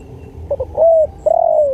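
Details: Spotted dove (tekukur) song, a training track for decoy birds: two brief clipped notes, a long level coo, then after a pause another drawn-out coo that slowly falls at its end.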